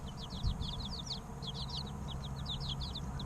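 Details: Three-week-old chicken chicks chirping rapidly, dense runs of bright, high falling peeps in two clusters, set against a constant low hum.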